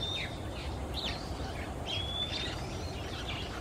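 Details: Male Oriental magpie-robin singing in Singapore in the afternoon quiet, flying perch to perch; a few thin high whistles and short slurred notes over constant low-pitched background noise.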